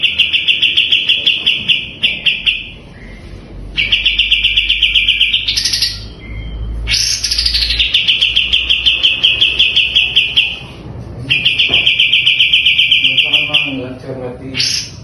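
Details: Sooty-headed bulbul singing continuously as master material for training other songbirds. Long, fast, buzzy pulsed trills alternate with sharp rising notes, about four trill bursts in sequence, with a faint low rumble underneath.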